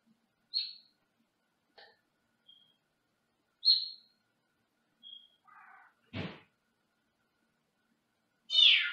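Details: Senegal parrot kept in a small cage in another room, heard at a distance: short sharp high chirps spaced a second or two apart, a brief lower raspy note, a dull knock, then a loud harsh screech at the end.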